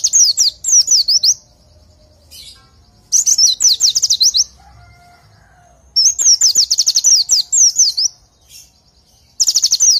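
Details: Oriental white-eye song used as a tutor recording for training. Bursts of rapid, high, downslurred notes about a second long come in three main phrases separated by quiet gaps. A few faint lower tones are also heard.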